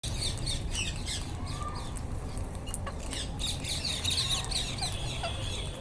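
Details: Wild Indian ringneck parakeets calling together: dense overlapping harsh squawks and shrill chatter, bursting repeatedly through a steady low rumble of background noise.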